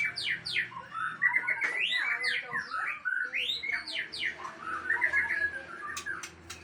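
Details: Aceh white-rumped shama delivering quick, varied whistled and chattering phrases over a low background hum, with a few sharp clicks near the end.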